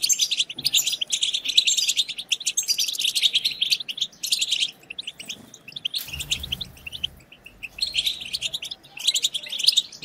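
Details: A group of European goldfinches twittering to excite other goldfinches into song. Fast, high, scratchy chatter runs almost without pause. A short low rumble breaks in around the six-second mark.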